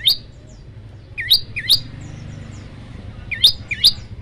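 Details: Bar-winged prinia chirping for a tutor recording in the 'tembakan' style: scattered pairs of sharp rising notes with pauses between them, and faint soft calls in the background.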